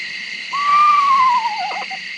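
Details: Captive Eastern Screech-Owl, Percy, on a raptor tour: a horse-like whinny, a clear whistle holding level, then sliding down into a short quavering trill, over a steady hum.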